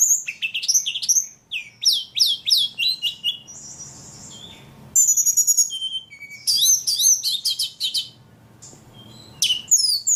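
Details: Energetic ledekan song: strings of sharp descending whistled notes, a thin held tone, then dense chattering phrases and high slurs separated by short silences.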